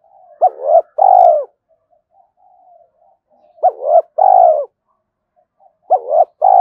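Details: Spotted dove decoy calling wild birds to fight, repeating a phrase of a short hooked note and a long burry coo about every three seconds, with soft murmuring between.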